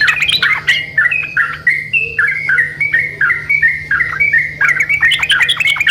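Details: Yellow-vented bulbul lure song with birds answering each other: a clear sequence of short mellow whistled phrases that step between pitches, ending in a denser burst of bubbling notes, over a low steady hum.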